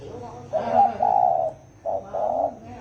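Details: Spotted dove giving the deep-voiced 'thổ ồm' coo used to provoke wild doves into calling: low hollow notes, a short coo then a longer drawn one, repeated twice in quick succession against faint background hum.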